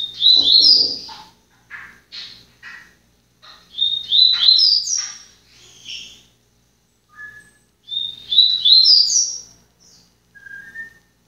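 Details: Seedeater singing, a kept individual bird; three bright phrases of rapid high rising and falling chirps, each about a second long, separated by short softer notes and pauses.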